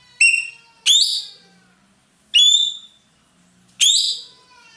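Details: Ekek keling, a roller used in Indonesia as a tutor bird, singing actively: four loud, ringing, shrill cries, each a sudden sliding note that fades, spaced about a second apart, with a faint low hum between.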